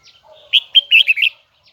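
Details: Single rich phrase from a Huế red-whiskered bulbul in high, twisting voice: five quick loud slurred whistles in under a second, with a faint lower note before it.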